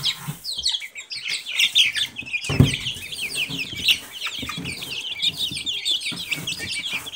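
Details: Group of Silkie chicken chicks giving many high, rapid peeps, often falling in pitch, in a steady overlapping chorus, with a brief thump and low clucking sounds in between.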